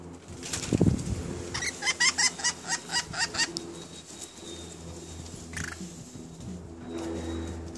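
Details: Pet rainbow lorikeets, newly acquired, talking: a quick burst of about eight evenly spaced, harmonic-rich chattering notes over roughly two seconds, then a single higher squeak and quieter background.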